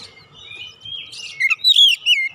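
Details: Oriental magpie-robin song used as a lure to make other birds sing: a long, slightly rising whistle followed by quick, varied chirps and slurred notes, with a short pause before a final bright phrase.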